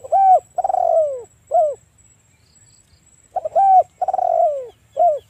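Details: Spotted dove luring other doves with a lively call: two phrases, each a short coo, then a long rolled coo that falls in pitch, then a short closing coo, with a pause of about two seconds between phrases.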